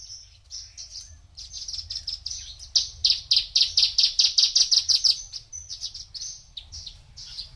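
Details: Four-year-old male Javan bushlark in song: high thin notes build into a rapid, even string of bright chirps for over two seconds, then scattered high whistles trail off.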